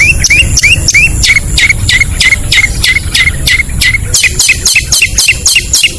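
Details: Long-tailed shrike calls used as a lure to draw in other shrikes: quick repeated upswept chirps, about three per second, steady and insistent, over a constant hum of low background noise.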